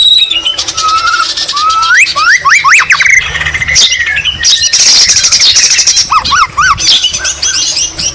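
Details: White-rumped shama singing with greater green leafbird (cucak ijo) imitations: fast rising whistled slurs in quick series, harsh chattering bursts and bright upward sweeps, continuous and loud.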